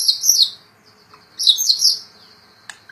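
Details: White-rumped shama (murai batu), kept and singing gacor: two bursts of very high, bright, chattering squeaks a second apart, with a soft click near the end.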